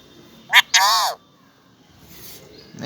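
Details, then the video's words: Pet parrot talking, speaking its own name as two loud harmonic syllables, a brief clipped one followed by a drawn-out bending one, then quiet room noise and a faint soft sound near the end. "Talking parrot"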